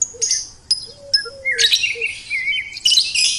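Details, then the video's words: Sweet-voiced bird pouring out high chirps and buzzy trills, with a soft low whistle repeated several times and a rising twittering phrase near the end. "Suara Burung Merdu"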